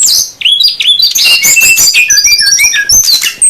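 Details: Male and female SRDC birds in a wild-bird lure: an unbroken rush of high, piercing chirps and whistled upslurs crowding together.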